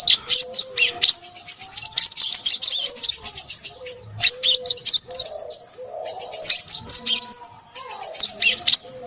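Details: Crimson sunbird in restless song, pouring out shrill, fast twittering phrases of tiny clicks and squeaks, pausing briefly around four seconds, over faint low whistled tones.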